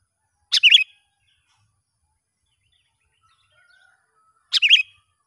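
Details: Sooty-headed bulbul heard outdoors in the wild while a young lure bird is tested: two brief warbled whistle phrases about four seconds apart, each opening with a sharp note, with near silence between.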